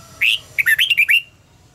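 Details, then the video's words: Decoy red-whiskered bulbul song for contest training: one bright slurred note, a short gap, then a rapid run of five warbling, rising-and-falling whistles, with faint low background hum. "luyện giọng cho chào mào hót hay - căng lửa, chào mào hót quá phê"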